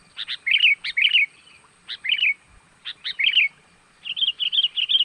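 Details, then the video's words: Sooty-headed bulbul call used as a lure to draw wild birds in: bright, bubbly chirped phrases repeated in short bursts about every second, ending in a quicker run of warbled notes. "ini baru panggilan pikat jitu,buat ngerangsang burung liar datang,full gacor"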